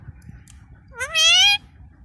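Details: Pet Indian ringneck parakeet in a Bangla-speaking home, being coached to say the new word 'mami' (mummy): one drawn-out, rising, harmonic-rich vocal note about half a second long, with faint background hum.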